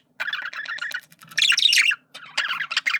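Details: A male budgerigar chatters while flirting: a fast buzzy warble of rapid repeated notes, rising into a louder harsh squawking phrase, then more quick chirpy chatter.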